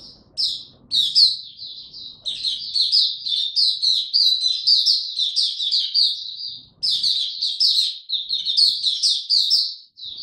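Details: Oriental white-eye, a kept bird ramping up form, sings in buka tiong style: long runs of shrill, fast chattering warbles, almost continuous for several seconds, then a brief pause before another rapid twittering stretch.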